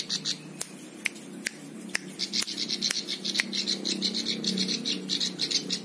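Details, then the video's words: Buzzy, insect-like notes from a plain prinia, a bird used to teach songs to others, repeated about three times a second and growing steadier, with intermittent loud clicks. "Ciblek sawah cocok untuk masteran semua burung"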